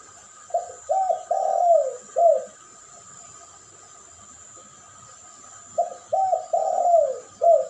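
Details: Spotted dove cooing in a lure duet recording alongside a puter pelung dove: two phrases of four low, soft coos, the third note longest and falling away, separated by a five-second pause, over a steady high electronic whine.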